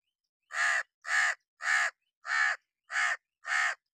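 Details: A hooded crow sitting on wood in summer rain gives six harsh, hoarse caws in an even series, about one every 0.6 seconds, against a quiet background.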